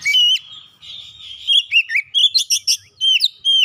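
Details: Song of the Oriental magpie-robin (kacer), played to coax a silent house bird into song. A loud opening whistle gives way to a softer, scratchy warble, then a run of crisp, ringing whistled notes.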